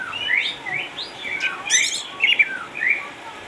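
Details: Caged orange-headed thrush, eight years old, a Sukabumi champion kept home because of cataracts, singing a rambling series of slurred warbled notes and chirps, with a brief high trill midway.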